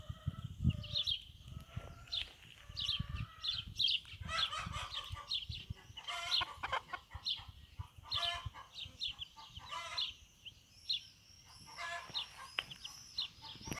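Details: Backyard bantam hen leading her young chicks on their first outing; dense, overlapping shrill peeps from the brood over repeated low clucks and short tonal hen calls, with faint rustling underneath.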